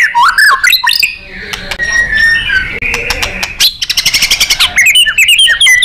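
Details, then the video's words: White-rumped shama in full gacor, nembak song made as masteran for contest birds; twisting whistles, a buzzy stretch, then a fast run of rapid repeated clicking notes ending in bright chirps. "Murai GACOR & NEMBAK ...FULL POWER & FIGHTER ‼️ Ampuh untuk MASTERAN BURUNG KONTES"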